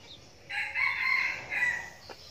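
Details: A decoy red junglefowl that crows often gives a harsh crow: a rising opening, a long strained middle note and a short falling tail, all over quiet background hiss.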